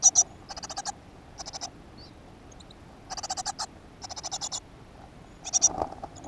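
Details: Great tit at a nest box in a school garden on 7 June 2015, giving several short bursts of rapid, harsh, rasping pulses separated by pauses, with faint background noise.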